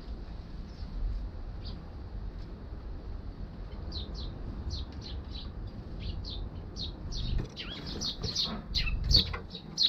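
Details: Eurasian tree sparrows arriving at a balcony on 1 December 2021, filmed with a GoPro HERO6; sparse, quiet chirps build into a denser chatter of short high notes over steady low background rumble.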